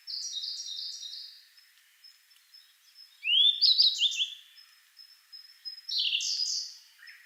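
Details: A subadult Grey bunting at Kagami Pond, Togakushi, sings thin, high notes and short buzzy trills in phrases a few seconds apart, alternating with a singing Siberian blue robin.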